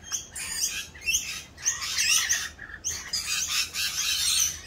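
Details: Rainbow lorikeets in mating season, unusually raucous while doing their mating dance; a dense, continuous wash of overlapping harsh screeches and chatter from several birds.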